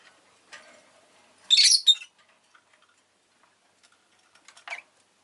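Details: Rosy-faced lovebird letting out a single loud, grating, high chirp, with a softer rough note near the end and faint ticking sounds between.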